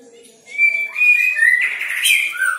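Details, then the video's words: Songbird in a song-training recording with a clear whistled phrase: level notes near the middle, then a louder, richer burst of warbling and a falling whistle at the end. "Jenggot Speed Rapet.."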